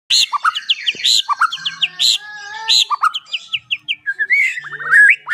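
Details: White-rumped shama, a caged prospect bird, singing a rich varied song of loud whistled notes, rapid descending slurred phrases and sharp high chips in quick succession, with a faint low hum behind.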